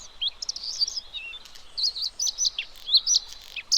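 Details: Bluethroat delivering quick, high, varied phrases of chirps, sharp upslurred whistles and brief buzzy notes in irregular bursts, against a quiet background.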